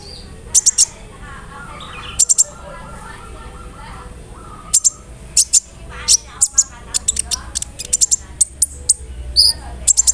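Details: Sunbird (kolibri ninja) song played to coax other sunbirds into answering: clusters of sharp, piercing high chirps separated by short pauses, growing busier toward the end, with soft lower warbling notes in between.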